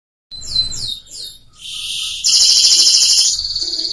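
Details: A Scotch Fancy F1 canary, kept as a singing tutor for young birds, sings bright, high notes: quick descending slurs, then a loud, fast, rolling trill pouring out at a rapid pace.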